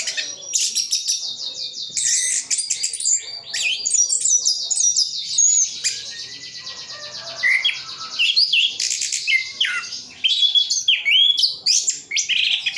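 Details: Long, dense song of an orange-headed thrush from Sidoarjo, East Java, full of mimicked phrases. It is a continuous jumble of very high chirps, rattling trills and short whistles with barely a pause.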